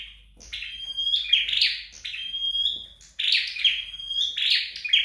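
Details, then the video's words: High chirps from a home-trained flowerpecker, each burst drawn into a thin, level whistle, in three closely spaced phrases. "Dợt Sâu Đầu Đỏ Tại Nhà"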